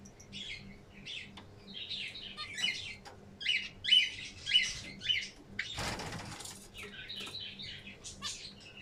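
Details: Zebra finches calling in a small room: bursts of short, nasal, buzzy chirps, some stronger honking notes in the middle, a loud burst of wing flapping about two-thirds through, then more quiet chatter.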